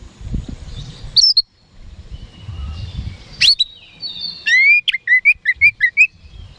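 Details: Kacer (oriental magpie-robin) lure song for rival birds: after scattered sharp notes over low background rumble, a rapid series of about seven short rising whistles at a quick steady rhythm closes the phrase.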